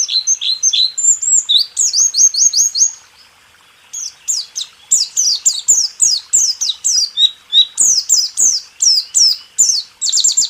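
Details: White-eye song, rool tembak, recorded for training caged songbirds: opening high trills and rapid chirp runs, a one-second pause, then a long series of sharp, falling whistled notes at a steady quick pace.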